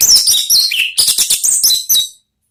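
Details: Orange-headed thrush singing the "ngeplong" style used to lure kept birds: a dense, fast run of loud whistled and chattering notes with mixed pitches, ending abruptly after about two seconds.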